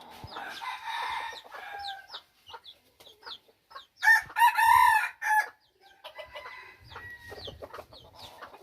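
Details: Red junglefowl used as a decoy, recorded in 2021, with clucking and harsh crowing notes and one loud drawn-out crow in the middle, amid other short calls.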